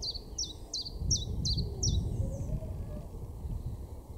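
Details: Common chiffchaff singing in a garden in Weener, East Frisia, far northwest Germany, in May: a run of six evenly spaced, sharp descending notes about every 0.4 seconds, then silence, with low rumbling background noise.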